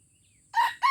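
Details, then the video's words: Red junglefowl crowing in Aceh, Indonesia, at a first trial of a lure: two short, hoarse, ringing syllables burst out after quiet, the second cut off abruptly. "Ayam Hutan Aceh # Pikat Ori test perdana"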